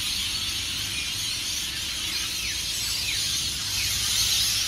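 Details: Before sunrise, hundreds of rainbow lorikeets leave tall Norfolk Pine roosts at Burleigh Heads Beach, Gold Coast, Queensland, Australia; a deafening wall of high, harsh screeches and squeals with occasional short downward-sliding notes poking through.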